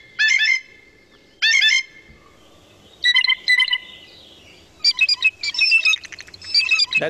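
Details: Blue Jay, a year-round resident in Quebec in which male and female look alike, a very noisy bird with many types of sounds: harsh, squeaky bursts repeated several times, some like a creaking door needing oil, with faint music between.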